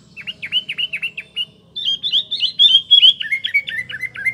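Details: Lively sooty-headed bulbul song for luring: a series of quick repeated chirps, then a continuous chattering warble of whistled notes sliding downward, with a faint low hum beneath.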